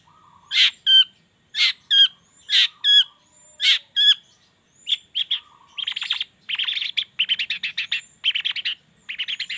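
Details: Long-tailed shrike morning lure recording meant to make idle shrikes sing; loud paired scratchy notes repeated about once a second, then a quicker stream of harsh, chattering bursts.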